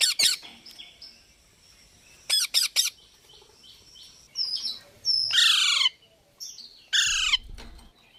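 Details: Natural parrot calls: sharp clipped chirps in quick pairs and triples, then harsh, descending screechy squawks, each lasting under a second, with quiet gaps between.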